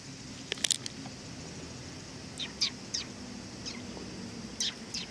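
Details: Sparrows arriving for food at a Tenmangu shrine on 18 August 2020 give scattered thin, high chirps in small clusters, with a low rumble of traffic and a constant high drone underneath.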